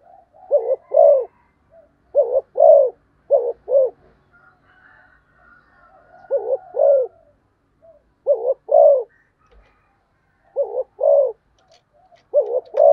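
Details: Quick spotted dove cooing, paired low hollow coos delivered in bursts with short pauses, faint soft background calls between phrases.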